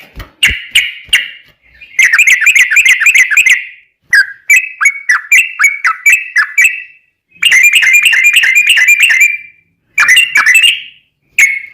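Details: Lively ropel song of a sooty-headed bulbul used to draw replies from other bulbuls: sharp notes, dense rapid chattering runs and series of clear bouncing whistles, broken by short pauses.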